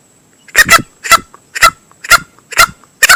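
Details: Lure call of a male green junglefowl, played to attract birds when hunting: coarse, honking notes, some doubled, spaced about half a second apart.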